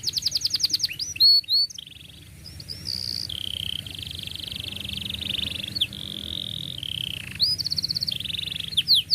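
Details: Canary song meant as a model for young canaries learning to sing: rapid repeated chirps, a few swooping notes, long steady rolling trills at changing pitches, then chirps again, over faint low hum.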